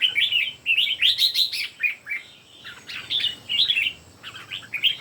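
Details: Red-whiskered bulbuls, three kept birds singing in competition: bright warbled phrases of quick rising and falling whistled notes in short bursts, separated by brief pauses.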